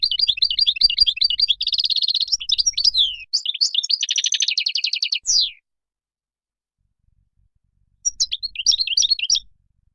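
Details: Moroccan goldfinch in song: fast rolling twitters merging into buzzy trilled passages and a descending slur, then silence followed by a renewed burst of bright chirping.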